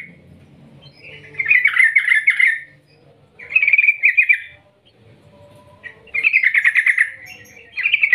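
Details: Trucukan, the yellow-vented bulbul, in long rolling 'ngerol ngetir' calling used as a lure: three separate bursts of harsh, fast-pulsed chatter, each a second or so long, with quiet gaps and a low background hum.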